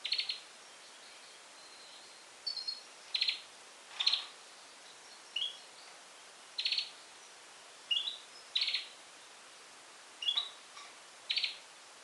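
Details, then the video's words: European goldfinch x canary hybrid singing on Syros, Greece, in July 2007: short bright chirps and brief twittered phrases, spaced about a second apart, against a quiet background. "Carduelis Carduelis X Canary singing"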